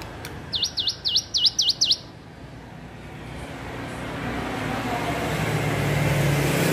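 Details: Young hill prinia practising its song: a short burst of about six quick, looping V-shaped whistles, followed by rising broadband noise like passing traffic.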